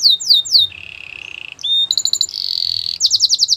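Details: Belgian canary song for training young canaries: falling whistled sweeps, a low rolling trill, a short buzzy note, a higher trill, then a fast run of repeated sweeps.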